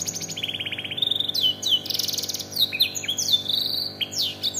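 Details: A black-throat-bred domestic canary sings a fast, varied song: rapid trills and rolling buzzy phrases, then sharp high downward-sweeping whistled notes, with a brief laugh after.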